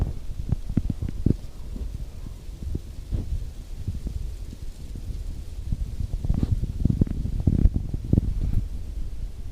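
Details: Gusting wind roars low and uneven through beech trees, with buffeting rumbles and no crow or other animal call audible.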